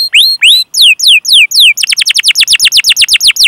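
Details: Canary training song: a few slow rising and falling sweeping whistles, followed by a rapid run of short descending notes.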